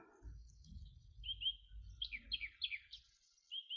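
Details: Two male common nightingales counter singing, one starting and the next joining in with matching song type: a few buzzy high notes, then clustered sharp descending chirps and a short repeated high phrase, over low background noise.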